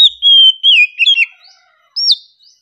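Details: Oriental magpie-robin singing calmly, close: long, pure whistled notes gliding gently downward, then a broken twitter and a final bright upslurred whistle.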